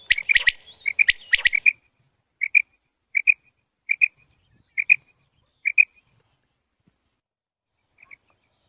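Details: Female quail call used for hunting. Crisp paired notes, like a quick 'quip-quip', repeat about every 0.8 seconds at an even pitch. Loud clicking knocks open the sequence, then the calls continue clearly over silence.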